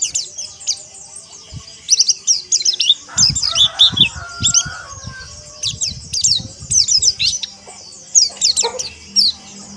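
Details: Group of white-eyes chorusing together, played to train kept birds toward coarse chattering: clusters of squeaky descending chirps in fast bursts, separated by short pauses, with some lower fluttery sounds underneath.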